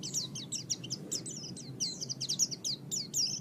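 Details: Oriental white-eye song from a training recording for pet birds: dense, rapid, high twittering made of short downward-slurred notes, almost without gaps, over a soft background hum.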